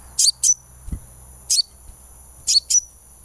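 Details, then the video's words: Sunbird therapy sound meant to make a bird sing often: pairs of brief, piercing high chirps, two quick pairs and a single note spaced by pauses, with a constant faint high whine and one low knock behind. "suara terapi kolibri supaya gacor"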